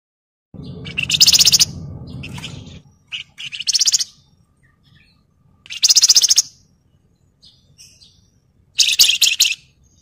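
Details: Javan fulvetta (wergan jawa) singing, a bird recorded as a training track for other birds: dense buzzy chattering bursts repeated every two to three seconds. A low rumbling noise sounds under the first burst.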